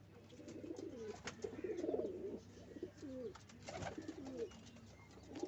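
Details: Nest-making pigeons give steady low, throaty cooing, several rolling phrases overlapping, broken by a couple of sharp knocks or wing-flap noises.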